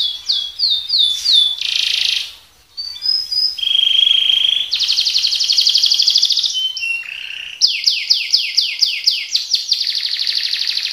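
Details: Energetic colour canary pouring out speed roll and tembak song as tutor material for other birds: swooping whistles, a harsh buzzy burst, sustained rolls and rapid trains of descending whistled notes, with a brief pause midway.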